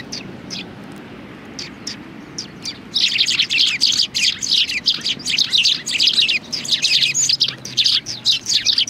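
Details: Several sparrows perched on a bench at a Tenmangu shrine on 30 January 2020 give a dense, overlapping chatter of short, bright chirps. It begins quietly, then bursts into rapid calling from about three seconds on.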